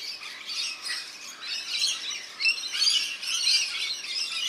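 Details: Rainbow lorikeets bathing in a backyard birdbath in NSW, Australia; constant shrill, rasping chatter from several birds, growing louder toward the end.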